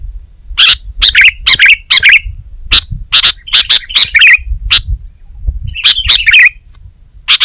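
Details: Gacor kutilang, the sooty-headed bulbul: clusters of chirpy, slurred notes separated by short pauses, with a brief trilled phrase, set against a faint low rumble.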